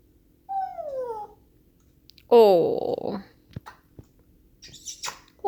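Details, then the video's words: A grey parrot gives a clear falling whistle, then a loud nasal, voice-like wail like saying "Awww", followed by a few sharp kiss-like clicks and soft rustles in a quiet room while it also dances. "Bird Making Different Type of Sound"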